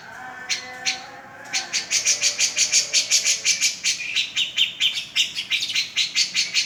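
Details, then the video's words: Lively cica jenggot song, said to make quiet birds sing after one minute: a couple of isolated chips, then a rapid, regular train of high piercing notes that slides slightly lower in pitch. "Suara cica jengot gacor"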